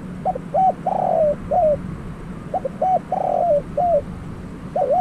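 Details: Spotted dove acting as a trapping decoy: two loud cooing phrases, each with quick hooked notes, a drawn-out buzzy coo gliding down and a falling end note, with a third phrase just beginning and a low hum beneath.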